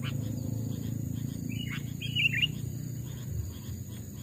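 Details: Captive sooty-headed bulbul kept as a decoy bird, two to three years old and hand-raised from a chick, tested in a forest. A brief burst of liquid, whistled notes comes midway over a steady low rumble and a faint high insect hiss.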